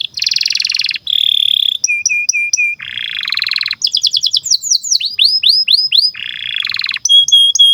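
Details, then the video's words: Singing domestic canary, a long master song for teaching young and silent canaries, switching rapidly between dense buzzy rolls, low whistled notes repeated four times, and series of rising chirped syllables in quick succession. "SUARA BURUNG Kenari GACOR PANJANG INI Cocok untuk Masteran KENARI PAUD dan Kenari Macet BUNYI"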